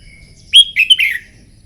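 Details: Red-whiskered bulbul, trained for morning song contests, giving one quick warbled phrase of bright whistled notes around the middle range, sliding and slurred over about three-quarters of a second, against quiet background.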